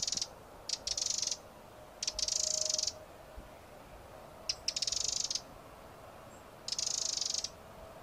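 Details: Eurasian wren (Troglodytes troglodytes) song: short bursts of very high, rapid, rattling trills, each under a second and repeated every one to two seconds, over a faint low hum.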